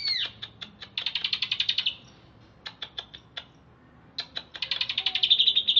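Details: Caged greater green leafbird from Alas Purwo, Banyuwangi, kept in Bekasi, just bathed: rapid pulsed rattling trills, each lasting about a second, broken by isolated dry ticks.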